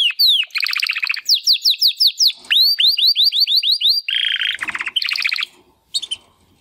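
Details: Timbrado canary brothers, young males from the second 2020 breeding, first attempts at song after their first molt; falling whistled notes in rapid series alternating with buzzy trills, ending in a pause and a few scattered notes.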